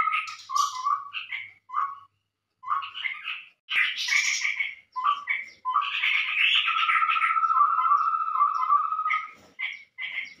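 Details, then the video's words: Lure call of the chestnut-rumped babbler, used to attract birds: short chattering bursts, a silent gap, then a dense busy chorus over a long, level whistled note, ending in scattered chirps. "suara pikat burung Tepus tungkir merah"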